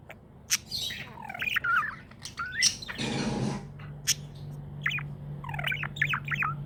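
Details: Contented pet budgie chirps and warbles: quick slurred whistles and squeaks, broken midway by a short rush of broadband noise, then more rapid twittering phrases, with a constant low hum.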